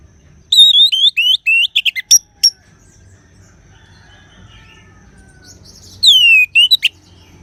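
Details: Orange-headed thrush singing: a quick run of wavering, high whistled notes and sharp clicks for about two seconds, a long quiet pause, then a loud downslurred sweeping whistle with a few short notes. Faint low hum underneath.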